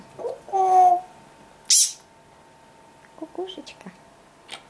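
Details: A pet parrot, coaxed by its owner to sing, gives a drawn-out whistled note, a harsh hissing squawk, then a few short chattering, speech-like notes, with quiet room sounds behind.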